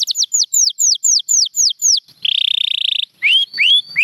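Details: Champion canary song, Gloster canary among the birds featured: falling whistled notes in a quick repeated series, then a steady rapid buzzy trill lasting about a second, followed by rising whistles.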